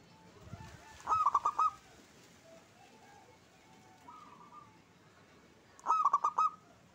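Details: Local zebra dove cooing: two loud rapid stuttering coo phrases about five seconds apart, each a quick run of pulsed notes, with a softer phrase between them over a quiet background.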